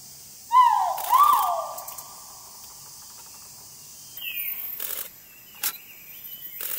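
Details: Great argus (Argusianus argus) in its habitat at Thung Chali, Phang Nga, Thailand, 13 March 2019, gives two loud, rising, ringing notes about half a second apart, then fainter higher bird calls and forest noise.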